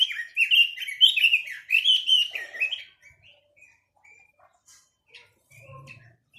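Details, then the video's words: Chinese hwamei delivering about three seconds of loud, rapid whistled phrases with rising and falling slurs, then near silence broken by a few soft short notes and faint clicks. "Tiếng chim quế lâm"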